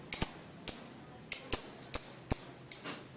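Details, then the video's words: Lovebird sound used to prompt other lovebirds to sing: seven or so isolated, sharp, very high chirps spaced irregularly about half a second apart, with quiet pauses between. "full bunyi pancingan love bird"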